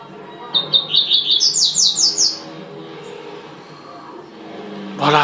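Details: Double-collared seedeater singing one tui-tui phrase: short, high notes quickly rising into a run of about six ringing, slurred whistles, followed by quiet and then a loud broad knock at the end.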